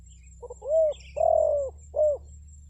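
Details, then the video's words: Spotted dove decoy call used to lure wild forest birds: two quick soft clipped notes, then three deep hollow coos, the middle one longest and drawn out, over a low steady hum. "SUARA PANGGILAN TEKUKUR PIKAT, BURUNG HUTAN PASTI NYAHUT"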